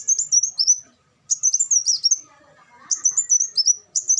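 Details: Three fast phrases of shrill, high-pitched twittering from an olive-backed sunbird, given as a training song, with soft lower chatter in the gaps between phrases.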